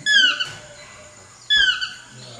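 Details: Two loud, clear descending yelps from a chestnut-mandibled toucan, about a second and a half apart, each ringing and harmonic-rich, with quiet background between them.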